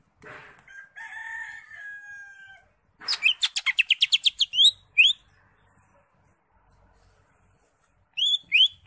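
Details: Greater green leafbird with crest raised giving a full, varied tutoring song: a soft, thin, drawn-out whistle, then a rapid, even series of about a dozen sharp, high notes, followed by a few spaced, clear whistles.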